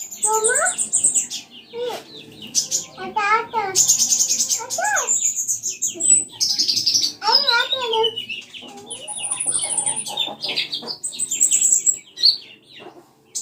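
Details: Common iora song played as a lure to get a kept bird singing along: a lively mix of slurred whistles, rapid zigzag trills and high thin squeaks, delivered in varied phrases with brief pauses.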